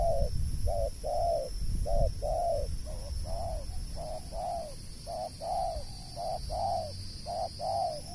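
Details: Spotted dove, locally called tapau, cooing: soft, low, rounded coos in a steady series of about a dozen notes, some paired, over a constant high insect-like whine and low rumbling background noise.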